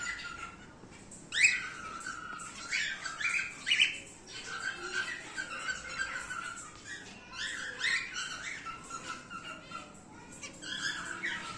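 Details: Male emerald split cockatiel vocalizing: bursts of harsh, scratchy squawks and chattering notes come in irregular clusters with short pauses, fairly soft against a room background.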